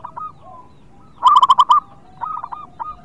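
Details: Local zebra dove song, used to encourage reluctant birds to sing: one burst of five rapid, rounded cooing notes, with softer answering coos from other doves on either side.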